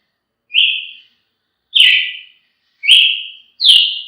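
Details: Brazilian tanager giving four spaced, clear whistled notes, each dropping slightly in pitch and trailing off, with quiet gaps between.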